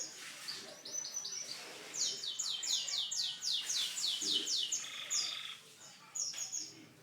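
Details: Caged canary song opening with short high chips, then a loud fast trill of sweeping downslurred notes, followed by a lower rolling tour and brief high phrases before fading.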